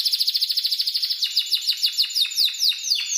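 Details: Spanish timbrado canary training song for other birds. Rapid pulsed notes repeat about every tenth of a second, then slow into separate downward-sliding chips.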